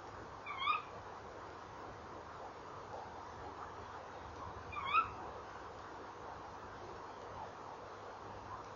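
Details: Tawny owls calling at a nest box on the evening of 28 November 2013. Two sharp, upward-sweeping calls about four seconds apart, with a low steady hum beneath.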